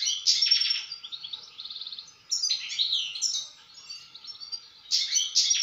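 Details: A European goldfinch sings a jumbled series of tinkling chirps, rattling trills and buzzy notes in phrases separated by brief pauses, with a low faint hum in the background.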